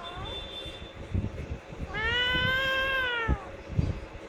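A parrot gives a convincing cat-like meow, a drawn-out nasal wail that rises then falls, after a short fading note. Low rumbling background noise and a few knocks.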